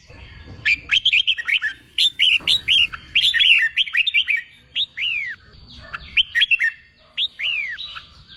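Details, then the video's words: Contest-training song of a red-whiskered bulbul, meant to rouse wild-caught birds into singing: about a dozen lively, clipped whistled phrases in close succession, each swooping down in pitch, with some louder slurred notes toward the end. "Kích bổi nghe là hót, luyện chim hót đấu, luyện chào mào bổi sổ giọng"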